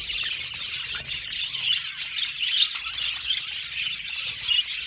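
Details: Aviary budgerigars singing and chirping as a flock: steady high twitter with clipped chirps and a few clear whistled notes popping out of the background.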